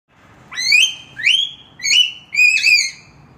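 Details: Nias hill myna in the morning giving four loud, clear whistles, each sweeping sharply upward then levelling off, about one every two-thirds of a second, over faint background hum.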